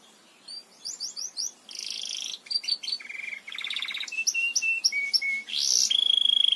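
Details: Belgian canary song for tutoring: a varied sequence of short chirps, buzzy bursts, a low rattling roll and pure whistled tones, ending in a rapid pulsing high trill.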